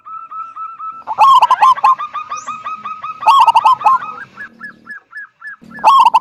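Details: Zebra dove of local wild stock, singing hard in a big 'kung' voice to bring other doves into song: loud coos with trailing rapid notes, twice, then a light series of repeated notes before another coo.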